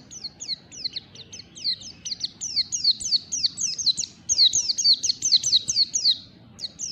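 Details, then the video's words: Morning song of a white-eye in the ngalas style: a long, busy stream of thin, high, falling whistled notes that grows louder and denser midway. After a short pause the notes resume, over faint low background rumble. "PLECI NGALAS DI PAGI HARI"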